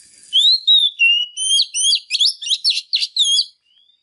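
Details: Singing female Oriental magpie-robin stimulating males: a sweeping whistled opening, then quick varied chirps and slurred notes, ending in a soft faint whistle.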